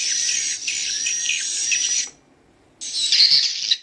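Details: Swiftlet chicks give a two-second burst of dense, high chittering, then fall silent briefly before a shorter second burst with a few sharper squeaky notes.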